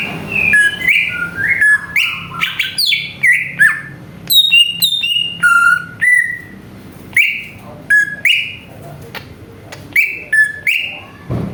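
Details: Greater green leafbird song used as a lure to provoke other birds into singing: rich, varied clear whistles, slurred rising and falling notes in quick short phrases with occasional harsh chips, over a quiet background.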